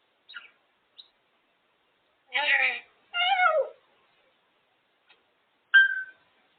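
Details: Indoor pet female African grey parrot making noises on her cage: two long nasal, wavering speech-like utterances, a few faint clicks, and a final sharp whistled note.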